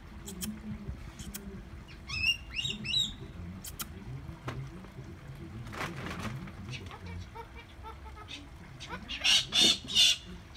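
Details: Two-year-old pet galah, adopted four days earlier, imitates its owners' speech in short warbling bursts, repeating "bisous coco" and "coco bisous" in their intonation with kiss sounds, while a person speaks nearby; Galah.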